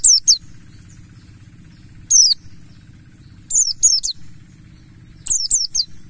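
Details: Lure recording of mountain white-eye song meant to make other birds sing: bursts of thin, high-pitched, falling twitters in clusters of two or three notes, spaced a second or more apart, with a constant high whine and low background hum.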